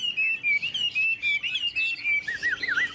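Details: Two caged Chinese hwamei from Tuyen Quang, Vietnam, singing against each other: loud sustained whistled notes in short bursts, wavering gently, ending with rolling looped whistles.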